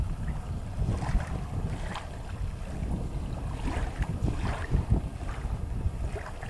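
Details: Wind buffets the microphone beside a lake in a state park on a February day, with lapping water and rumbling gusts and no clear bird calls.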